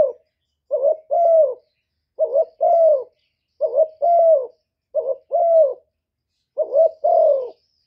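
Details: Gáy gù cooing from a decoy spotted dove: five evenly spaced doublets, a clipped rising note and a fuller descending coo, roughly one phrase every one and a half seconds, silent surroundings.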